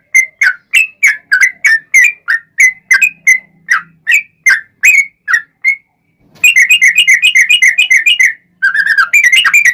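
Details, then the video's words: Yellow-vented bulbul giving a lively, long rapid-fire song meant to make other bulbuls reply: quick run of bubbly slurred whistles, a brief pause, then a dense, fast burst of crowded chirping notes. "SUARA trucukan gacor ROPEL PANJANG pancingan trucukan agar bunyi JADIKAN burung trucuk gacor NYAUT"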